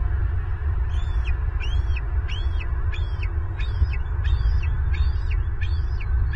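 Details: Bald eagle at an active nest in Southwest Florida on March 25, 2023, as the adult male brings food to the eaglet: a steady series of thin, high, piping chirps, about eight notes in six seconds, over a constant low wind rumble.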